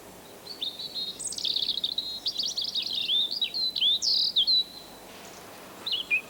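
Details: European robin in a British garden singing its high, liquid song, heard in most months: a rapid run of thin whistles, trills and sliding notes, with a brief pause before a few final phrases.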